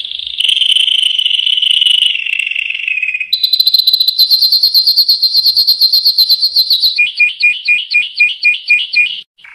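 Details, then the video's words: Yellow canary in full song, moving from a smooth rolling trill to a sharper pulsed high trill, ending in slower, evenly spaced double notes repeated several times a second. "Chant canari jaune magnifique.Magnífico canto del canario amarillo. Muhteşem sarı kanarya şarkısı."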